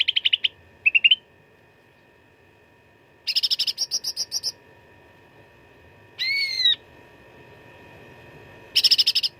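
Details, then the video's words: A grey-bellied bulbul, called cucak ranting, gives a dense fighting song for training contest birds: short buzzy rattles, a quick rising note, longer chattering runs and a single loud descending whistle. "CUCAK RANTING GACOR TERBARU 2025 _ SUARA TARUNG FULL ISIAN !!!"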